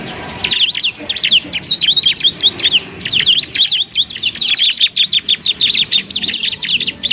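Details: Bar-winged prinia song used as a training recording for other songbirds: rapid, sharp, high chirps and trills in dense bursts with short pauses, with faint low background noise.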